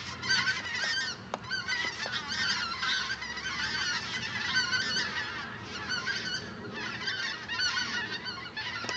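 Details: A huge migrating flock of common cranes calls continuously overhead, a dense chorus of loud, rolling, trumpeting bugles overlapping without pause.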